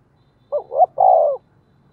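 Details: Spotted dove used as a decoy, one phrase: a soft hoot, an upswept note and a long steady coo, with a faint low hum behind.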